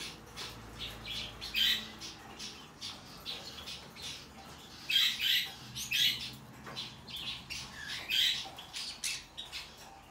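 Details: A young hand-tame rosy-faced lovebird chick, golden cherry variety, in Fukuoka, Japan, on 16 December 2023, gives harsh, raspy squawks, first singly, then in a quicker run of rough bursts about every half second; room otherwise quiet.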